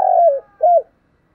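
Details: Spotted dove in the thúc gù cooing style, field-type voice: a fragment of one phrase, a long soft falling coo then a short rounded note, on a clean quiet background.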